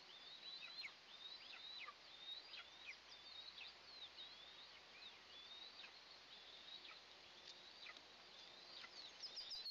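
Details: Nest-camera recording from June 29, 2024: two Eastern imperial eagle eaglets at breakfast give a steady stream of high, wavering peeps with short falling strokes, fairly continuous for ten seconds over background hiss.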